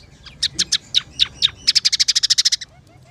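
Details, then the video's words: Scaly-breasted munia song, chatty and energetic, with spaced sharp ticking notes that break into a quick, regular trill of high chips before fading to silence. "masteran burung emprit peking gacor 008"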